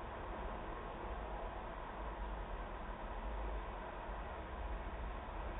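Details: A constant hiss with low-pitched rumble fills the recording, and no animal voice is present.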